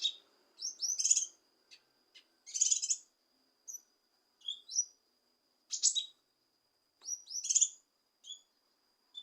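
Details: Leafbird (kinoi) singing to stir a reluctant bird into song: bright whistled notes and sharp rising chirps in varied short phrases, separated by pauses, with a faint steady high tone behind.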